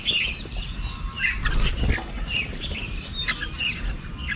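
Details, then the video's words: Several red-whiskered bulbuls returning with food for chicks during the breeding season: bright, clipped chirps and short twittering notes scattered throughout, over wing flutters and a steady low hum. "Đàn Chim Chào Mào Về Cắp Mồi Nuôi Con Mùa Sinh Sản"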